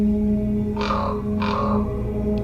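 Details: Common raven recorded on January 21, 2018 in Cootes Paradise Sanctuary, Hamilton, Ontario, Canada; two harsh, rasping croaks about half a second apart over steady, eerie background music.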